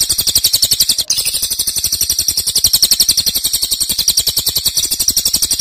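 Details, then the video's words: Cililin singing loudly in long bursts: a fast, shrill, rattling trill of evenly pulsed high notes, cut by a brief break near the start, then continuing without pause. "Cililin nembak keras dan Rafat durasi fanjang"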